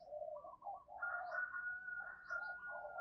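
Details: Decoy spotted dove calling to provoke wild doves: low, rounded coo notes under a steady, high, thin whistled tone, with a faint background hum.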